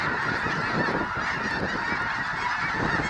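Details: A flock of 20,000 plus snow geese at a refuge, spooked from grazing into a low flying frenzy: dense continuous honking chorus over strong low rushing noise from beating wings.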